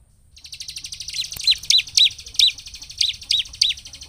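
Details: Bar-winged prinia singing vigorously, used to provoke other prinias: a continuous high buzzy trill underlies a series of hooked, sharply falling chip notes repeated about three times per second.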